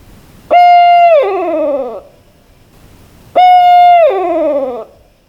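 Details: Barred Owl, a nocturnal hunter, giving two loud drawn-out hoots about three seconds apart. Each is steady, then slides downward at the end into a hoarse, harmonic-rich fall.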